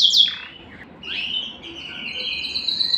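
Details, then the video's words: Canary singing to spur breeding: a sharp high downward sweep, a pause, then a rising slur leading into a long sustained high whistled tone with faint overtones. "صوت الكناري الاصلي ( صوت جبار يحفز الذكر ويهيج الأنثى للتزاوج )"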